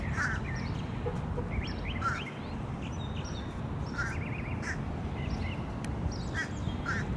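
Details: Fish crow in Savannah, Georgia, April 4, 2022, giving short, nasal, quacking calls at irregular intervals over a steady low rumble, with faint chirps from other birds.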